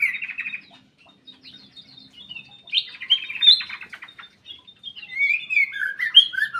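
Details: Active song of a black-capped bulbul kept in an aviary, rich fluty whistles and slurred warbles in short phrases, accompanied by thin, high chirping from other birds nearby.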